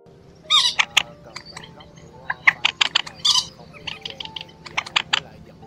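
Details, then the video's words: Two rails or crakes (Vietnamese "quốc biển" and "trích ré", adult and young birds) give harsh, scratchy chipping calls in uneven bursts of sharp notes with brief pauses, a lure recording for the March 2024 migration season. "Tiếng Quốc Biển , Trích Ré 2 Con Kêu"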